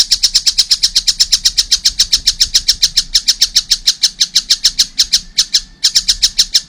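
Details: Rapid, grating notes pour from a young collared kingfisher, repeated several times a second in an almost unbroken stream with a short stumble near the end.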